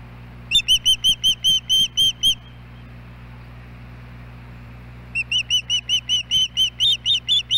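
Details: Osprey pair returning to their nest in Hellgate Canyon, Missoula, Montana, on July 29 after a day's absence. Two bursts of high, clipped whistled chirps, about eight quick notes each, separated by a few seconds of quiet with steady low hum.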